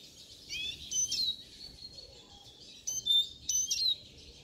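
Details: Siskin song: high twittering notes, then a long, thin, wheezy drawn-out note held for about a second, followed after a pause by two quick bursts of bright chirps and whistles.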